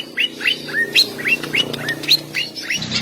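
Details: Male greater green leafbird in full song, aimed at provoking rivals: a quick series of upward-sweeping whistled notes, roughly three per second, clear against a faint low hum.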